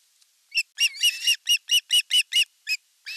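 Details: Ospreys at a Satakunta nest in Western Finland, 5 August 2024, during fish delivery with the elder chick attacking the younger; a jumbled burst of calls settling into a run of evenly spaced, shrill chirps.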